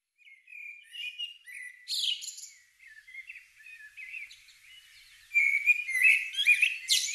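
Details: Common blackbird singing at dawn in spring in the British countryside, recorded in real time: mellow warbled phrases alternating with thin, squeaky high twitters, a loud burst near two seconds and a denser twittering run at the end.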